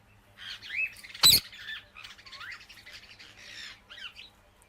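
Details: Busy ringneck parakeet chatter: overlapping squawky, twisting chirps and slurred notes with one sharp screech early on, all over a faint low hum.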